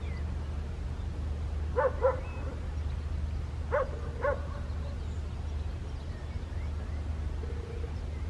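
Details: Two quick double calls from a Western jackdaw, recorded 27 May 2023 at Landtong Rozenburg, Netherlands: short, metallic, yelping 'chak-chak' pairs about two seconds apart, a brief flat note near the end, and a heavy low background roar.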